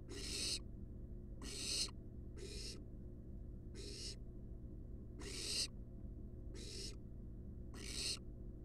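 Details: Nest-box barn owl young, wild and at rest, produce seven coarse hissing snores, spaced about a second apart, with a continuous low hum behind them.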